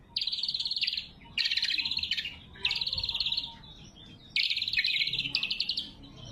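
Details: Lesser green leafbird in loud, sharp singing form, used as a lure and training song: four bursts of rapid, rattling trills around a bright mid-high pitch, each lasting about a second, separated by short pauses.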